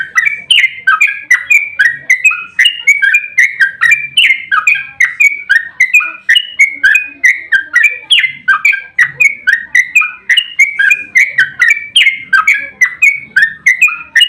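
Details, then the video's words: Yellow-vented bulbul in fighting mood, long unbroken 'ropel' song meant to make other bulbuls respond: continuous lively chattering with short whistled phrases tumbling one after another for over fourteen seconds. "Trucukan GACOR ROPEL TERPANJANG buat pancingan trucuk agar cepat bunyi"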